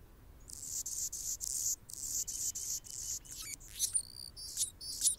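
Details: Male Anna's hummingbird defends its territory as a female feeds a baby in the nest; a run of regular high buzzy pulses gives way to sharp squeaky sweeps and thin whistled slides.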